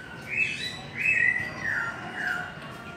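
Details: White-rumped shama singing at a distance: three sustained, clear whistles, the last one sliding downward, over a steady background hiss.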